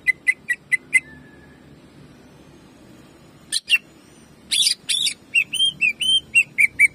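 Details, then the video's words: Greater green leafbird, jamtrok song used to train leafbirds: five quick whistled notes, a long pause, then buzzy harsh notes followed by a varied series of rising and falling whistles. "CUCAK IJO GACOR JAMTROK TEMBAKANYA BIKIN PANAS"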